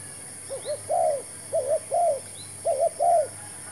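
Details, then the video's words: Spotted dove used as a fresh decoy during trapping, giving cooing phrases of two quick coos then a longer falling coo, three phrases in under four seconds, with faint thin chirps of other birds. "MEMIKAT TERKUKUR"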